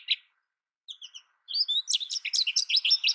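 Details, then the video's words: After a single chip and a few soft high notes, an American goldfinch launches into a fast, steady stream of bright twittering chirps. "American goldfinch Bird Sound, Bird Song, Bird Call Bird Calling Chirps"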